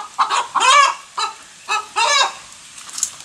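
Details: Hen calling just after laying an egg. Loud harsh squawks come in uneven bursts, about five in three seconds, some drawn out and wavering, with faint clucks and background noise between them.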